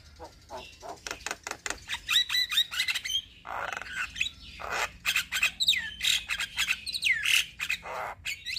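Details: Captive black-winged starling song played to coax stressed, silent birds into singing: harsh clicks and rattling chatter, then whistled upslurred notes and squawky phrases in a busy, uneven stream.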